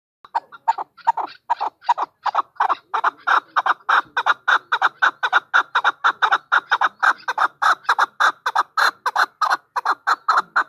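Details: Female chukar partridge calling: a long series of rapid, harsh chuck notes centred low-mid, repeated several times per second and growing louder and denser toward the end.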